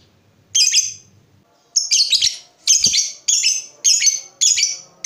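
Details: Lovebird giving loud high chirping bursts, about seven bouts in five seconds, each a quick cluster of sharp squeaky notes separated by short pauses, with faint low knocks in between.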